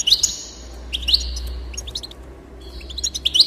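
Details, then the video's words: Goldfinch song aimed at encouraging a bird to sing: sparse, sharp high slurred notes in three short bursts separated by quiet pauses. "increase the enthusiasm of the goldfinch and encourage it to song"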